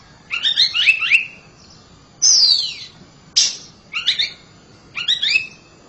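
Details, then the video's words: Oriental magpie-robin, a kept bird, singing loudly: clusters of quick warbled notes, then a long descending whistle, a sharp burst and more twittering phrases with pauses between. "KACER RUMAHAN KICAUNYA NYARING"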